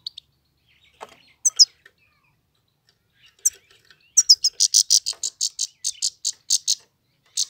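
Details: A Himalayan goldfinch singing: a few scattered high chips, then a quick run of bright, tinkling twitters, about six notes a second.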